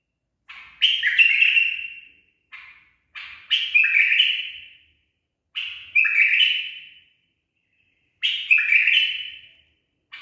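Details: Tame, properly trained bulbul giving its 'barwaz' song: four repeated phrases about two seconds apart, each a short lead-in note, then a loud warbling flourish that fades into a falling whistle.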